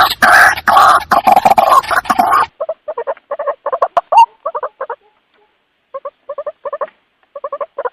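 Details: White-breasted waterhen calling its companions, used as a lure sound: a dense harsh burst at first, then a long run of short, nasal, double-toned croaking notes in quick irregular clusters with brief pauses.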